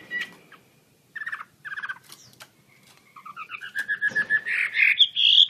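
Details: Chinese hwamei singing vigorously with wings open: a few sharp notes and short buzzy bursts, then a rising series of repeated whistled notes that speeds up into loud, rich, slurred warbling.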